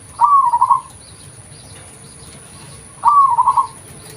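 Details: Local zebra dove used as a lure: two identical phrases about three seconds apart, each a rising first note followed by a quick burbling string of coos, with faint bird chirps in the background.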